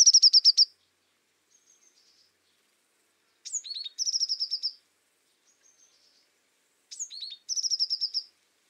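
Azure tit song: a few thin high notes leading into a quick, even trill of about ten bright notes, repeated three times every three to four seconds.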